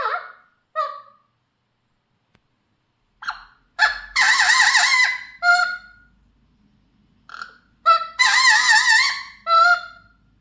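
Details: Mealy Amazon parrot kept as a pet, singing in bursts: short, clipped, nasal notes, then two long, rich, wavering warbles about four seconds apart, separated by brief pauses.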